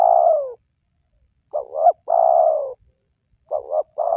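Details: Spotted dove cooing, a recording for enticing lazy wild doves to call. Opens mid-way through a long falling coo, then further phrases of a stuttering double hoot and a sustained coo. Calm, clean background.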